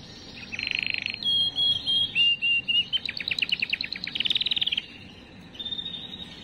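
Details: Canary song to stimulate females: a buzzy rattle, whistles, a series of evenly spaced clipped notes, a rapid trill and a faint final whistle.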